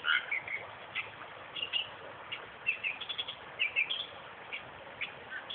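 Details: Western reed warbler singing in a suburban park 20 km south of Perth: grating, churring notes mixed with short whistled chirps, delivered in uneven bursts against a constant hissing background.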